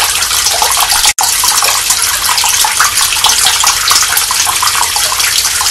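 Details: Continuous gushing tap water dominates throughout, with a short silent gap near the start and no calls from any animal.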